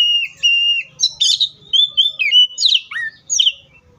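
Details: Oriental magpie-robin song opening with two long, level whistles, then a fast, varied sequence of sweet slurred notes, some dropping sharply, others rising, clear against a quiet background.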